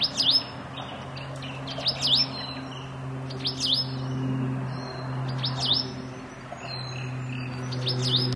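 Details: A White-eared Monarch (Monarcha leucotis) in Dayboro, SE Queensland, on 17 Aug 2010 gives a repeated high, swooping call with a buzzy edge, about every two seconds, over a low steady hum.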